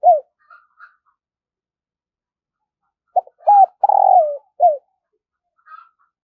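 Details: Spotted dove used as a lure for wild doves gives one full cooing phrase: a short tap, a bent coo, a long vibrating falling croon, then a closing coo, with soft high chirps before and after.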